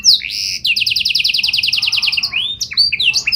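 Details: Singing canary delivering a fast rhythmic series of repeated high chirps, like a rapid stutter, ending in sliding whistled notes.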